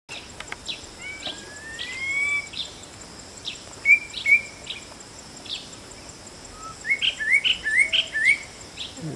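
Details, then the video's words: White-bellied drongo calling: clear whistled upslurred notes and short level whistles, then a quick run of rising chirps near the end, over steady high insect buzzing. "White Bellied Drongo Call"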